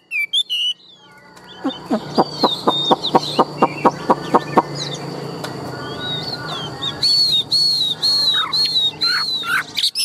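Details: Tame caged Chinese hwamei, big-bodied and said to be a strong loud singer and a good fighter: a series of sharp clicking notes about two per second, then bright whistled slurred notes near the end over steady background noise.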